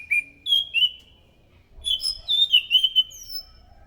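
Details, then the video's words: Clear scaly thrush song used to lure thrushes: three short whistled notes in the first second, then after a pause a quick string of bright whistles and slurs from about two to three and a half seconds. "PANCINGAN BUNYI BURUNG ANIS SANGAT EFEKTIF, SUARA ASLI ANIS MACAN GACOR TEMBAKAN SUARA NYARING!"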